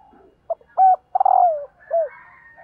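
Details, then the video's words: Spotted dove hen calling to stir up males: a clipped note, a held coo, a quick stuttered rattle sliding down into a drawn-out coo, then a short falling coo. "CU GÁY MÁI KÍCH TRỐNG"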